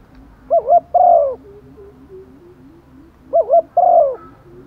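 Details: Female spotted dove calling to males in the rainy season, used as a lure bird: two coo phrases, each a quick double note followed by a longer, falling coo, repeated about three seconds apart, with soft low murmurs between.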